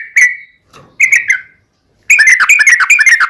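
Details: Yellow-vented bulbul lure song in ropel panjang style to make others reply; two short whistled phrases with gaps, then a dense rapid burst of bubbly notes at the end.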